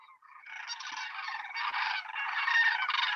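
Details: A flock of Sandhill Cranes calls overhead, a sound typically heard before the birds are seen, as in Maryland: loud, rolling, trumpeting rattles overlap into a continuous, wavering chorus.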